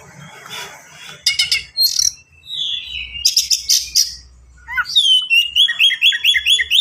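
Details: White-rumped shama, kept in a cage, singing harsh rattling bursts and a whistled note, then a long rising whistle running into a rapid series of repeated looping chirps; low hum behind.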